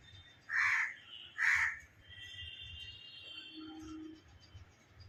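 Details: Myna giving two loud harsh calls in quick succession, broad and raspy, followed by faint whistled notes and a low hum in the background.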